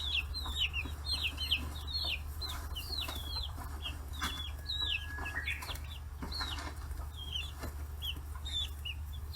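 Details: Chicks aged forty days crowding around fish heads on a free-range farm in Kitahiroshima, Hiroshima Prefecture; a busy stream of high, downward-sliding peeps from several birds, with pecking taps and steady low hum.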